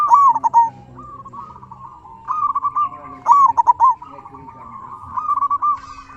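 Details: Zebra dove of a local strain, singing to draw answers from other doves. Clear, bubbling coo phrases arrive in three bursts, each a fast trill of beaded notes followed by a steadier purring tail, with quiet gaps between.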